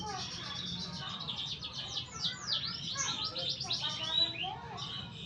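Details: Young-sounding canary song practice: a dense, continuous, buzzy trill of rapid repeated notes, broken by falling slurs and one sharp whistled note. Steady low hum behind.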